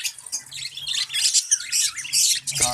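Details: Captive budgerigars in a breeding colony keep up a dense, high-pitched chatter of overlapping warbles, chirps and squeaks, with a low steady hum underneath.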